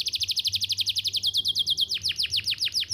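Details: Canary singing in a loud, fast trill of rapid repeated downslurred chirps, about twenty per second, high-pitched, then slowing into longer sweeping notes near the end; used as a prompt to teach young canaries to sing.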